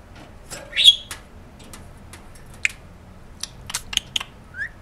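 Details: Pet female budgerigar, one year nine months old, indoors, making sounds from below to get its owner to come over; one loud rising chirp, then scattered short sharp clicks and brief chirps, ending in a soft rising note.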